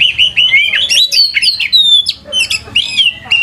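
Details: Oriental magpie-robin lure song meant to set listening birds answering and singing: fast, varied high whistles, slurred notes and rattling phrases running almost without pause.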